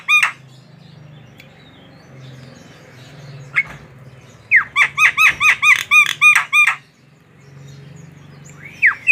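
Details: Tame Javan myna calling: scattered sharp notes, then a quick series of about eight buzzy chirps, and a final downward slurred whistle.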